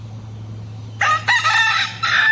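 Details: A rooster crows loudly in the morning, its broken, harmonic crow starting abruptly after a quiet second and running in several connected segments, with a faint low hum throughout.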